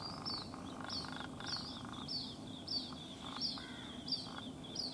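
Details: White-breasted waterhen chick at a house in Rajasthan, India, separated from its mother and calling non-stop; thin, high, down-slurred peeps repeated roughly every two-thirds of a second over a steady low background rumble.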